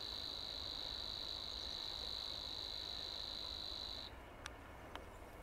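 Savi's warbler delivering a steady, insect-like buzzing reel that cuts off abruptly.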